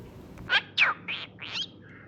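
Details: Newly hatched cockatiel chicks being fed by their parents give short, raspy, wheezing begging calls in a quick series of four bursts.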